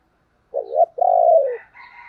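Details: Decoy spotted dove calling: a short wavering coo, then a longer, steady, slightly falling coo, followed by higher chirping notes from another bird.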